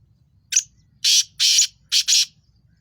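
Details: Black francolin, called Sindhi kala tetar, giving its loud call: one short harsh note followed by two pairs of longer, broad, grating notes, all in under two seconds, against near silence and a faint low hum.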